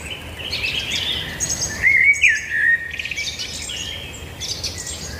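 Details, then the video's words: Birds singing, a clear whistled phrase with rising and falling slurs standing out near the middle of a soft background of high twittering. "birds singing"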